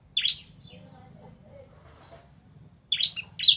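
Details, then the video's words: Male and female bar-winged prinia exchanging calls: one sharp high chirp opens, a soft even string of faint high pulses follows, then two louder chirps close. "Suara Asli Ciblek Jantan Betina Bersahutan"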